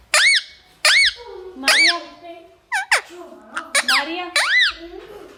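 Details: Talkative parrot indoors giving loud harmonic calls that arch up and down, about seven bursts spaced roughly half a second to a second apart, with faint music behind.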